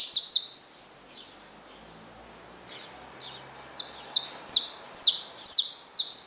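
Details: High, ringing chirps from caged saffron finches with newly hatched chicks: two quick notes open, a lull with faint distant notes follows, then a lively string of falling chirps returns.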